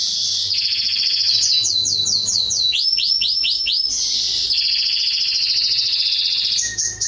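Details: Atlantic canary song used to train young birds: a continuous high trill, then runs of rapid repeated downslurred notes, followed by a buzzy rolling trill and a final sharp phrase, over faint low hum.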